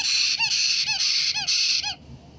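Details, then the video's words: White-bellied caique parrot recorded on 3 April 2022, giving four harsh, shrill screeches about half a second apart, each with a short rising-falling squeal, followed by quiet. "White-bellied Caique 金凱克 鸚鵡 Parrot"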